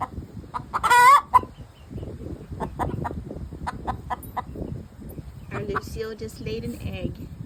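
An Easter Egger hen gives a loud, wavering squawk after laying, then softer, throaty clucks and cackles, with a woman's voice talking quietly in between.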